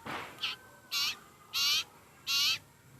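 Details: Very hungry sirpu (sirtu) bird begging: one short raspy note, then three longer harsh, buzzy calls, each about a third of a second, separated by pauses.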